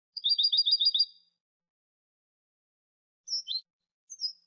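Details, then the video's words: A goldfinch sings a fast rattling trill of about seven repeated high notes, followed after a pause by two separate slurred, descending chirps. "Cd cante de jilguero"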